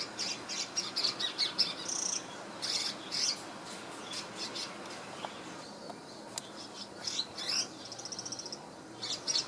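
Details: Possible swiftlet (described only as swiftlet-like) in Singapore, 2017, chirping while preening: high, thin chirps in short irregular bursts, with one quick twittering run near the end; otherwise fairly quiet.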